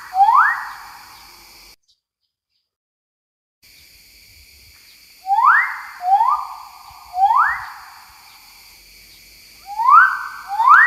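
Magnificent Riflebird giving loud, rich, upslurred whistles, singly or in quick pairs, a second or two apart, over a steady high insect hum.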